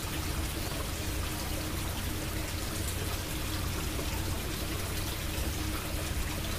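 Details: Loud, even pouring water noise throughout, with a low hum and no animal voice.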